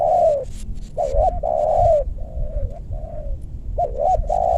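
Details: Decoy spotted dove calling to lure wild birds in meranti forest, western Bogor, Indonesia, giving strong low coos: a long sustained coo, quick double hooked notes, then more drawn-out coos in steady succession over rural background hum.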